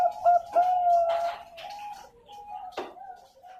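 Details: Zebra dove, Bangkok ring type, farm-bred in Pasuruan, East Java, Indonesia, 2021. A softer, drawn-out coo with a slight rise slurs into lower repeated notes, with a few sharp clicks or knocks mixed in.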